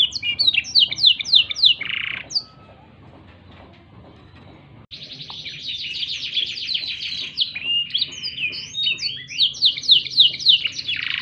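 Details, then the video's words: Black-throated canary singing rapid, high, sweet trills and repeated downslurred chirps, then after a brief pause a long, buzzy, fast-rolling phrase. "MASTERAN KENARI ISIAN BLACKTHROAT"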